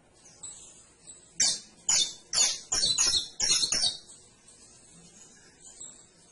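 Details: Canary song: a burst of six or seven loud, high, rasping trilled notes packed between one and four seconds, then a thin high trill fading out.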